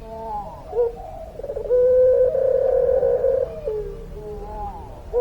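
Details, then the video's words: Puter pelung dove cooing in the long-voice style. Quiet lead-in notes build into a sustained, slightly tremulous low coo lasting about two seconds, then trail off into softer wavering notes. "Puter Pelung Gacor Suara Panjang, Manggungnya Bikin Adem"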